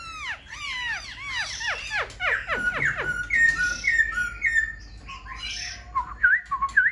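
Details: Black-throated laughingthrush kept in a cage, fanning its tail and lifting its wings, opening with fast steep downward-sweeping whistles, then steadier level whistled phrases and brief wavering notes near the end.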